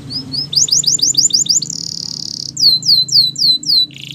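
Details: Morning song of a Belgian canary: rising whistled notes, a quick run of sweeping chirps, a buzzy roll and slow falling whistles, over a steady low hum.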